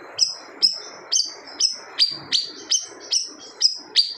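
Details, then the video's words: Siri-siri bird singing hard, described as a fierce 'tembakan' burst that hushes other birds: about ten sharp, bright, slightly rising chirps at a steady pace, roughly two per second, clear against a quiet background. "SIRI-SIRI GACOR TEMBAKAN SADIS BIKIN BURUNG LAIN DIAM"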